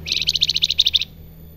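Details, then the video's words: Loud, rapid salakan trill of roughly a dozen bright, high notes in about one second, evenly paced, then silence with a steady low hum; the bird is described as singing actively with melodious flute-like notes. "Salakan Gacor Besetane dan sulingan merdu pisan"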